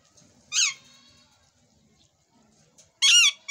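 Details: Rose-ringed parakeet in a fighting mood: a short harsh squawk followed, after a quiet pause with faint background murmur, by a longer, louder grating screech at the end.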